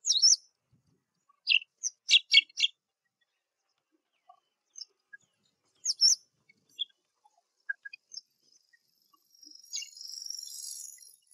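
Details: Black drongo in spring giving sharp, high, metallic chips in short bursts with scattered single notes, ending in a thin, hissing buzz.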